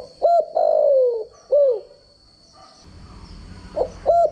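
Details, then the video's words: Decoy voice of a spotted dove used to train doves: a brief coo, a long downward-sliding croon and a falling coo, a pause with soft background rumble, then another short coo; a faint steady whine runs throughout. "chim cu gáy mồi giọng gáy chuẩn dùng luyện giọng chim cu gáy mỗi ngày"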